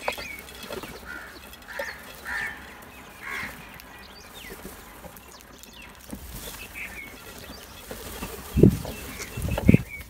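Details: Crows giving loud calls: a series of harsh, hoarse caws spaced about one and a half seconds apart, then quieter calling, with heavy low thumps and knocking near the end.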